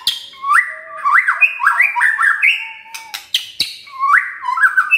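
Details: Morning song of a white-rumped shama used to provoke a silent shama into singing: loud whistled phrases sliding and rising in pitch, repeated in quick bursts, broken by sharp clicking notes.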